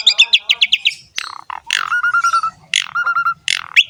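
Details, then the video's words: Jalak suren, the Asian pied starling, singing gacor ngerek: a quick string of chirps, then harsh squawks and two long, steady whistled notes broken by rasping calls, with faint low rumble behind. "BURUNG JALAK SUREN GACOR NGEREK ISTIMEWA"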